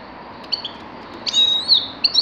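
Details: Grey-crowned goldfinch calling: soft high notes, then a strained, nasal tone that wavers up and down, ending with a short chirp.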